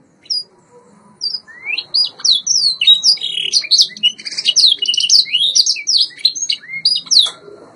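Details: White Yorkshire canary, a caged domestic variety, singing for song training: a fast run of high whistled and chirping notes and rising slurs, about four per second, with a few sparse notes first and the song gathering into a dense, continuous warble.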